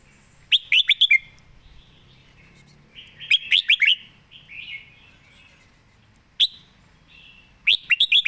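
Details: Caged red-whiskered bulbul singing eagerly: clear, fluty whistled phrases of three to four rapid notes, repeated in bursts every few seconds, with softer warbled notes in between.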